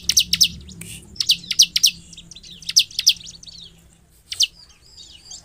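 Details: A Bar-winged prinia sings sharp, very high chips in quick bursts of two to four, with thin buzzy twitters between, over a faint low hum.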